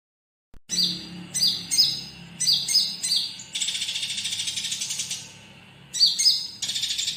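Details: Olive-backed sunbird song in the fighting 'church' fill style, used for training other birds: very high, thin chirps in quick bursts, then a long fast trilling buzz before the chirping bursts return.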